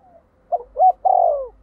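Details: Spotted dove decoy calling to rouse rival doves: one clear phrase of two short coos and a longer sliding coo, with a faint low rumble underneath.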